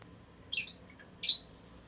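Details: Lutino Fischer's lovebirds, a strongly bonded adult pair mating inside their house: two short, harsh, high squawks about three-quarters of a second apart, with quiet between them.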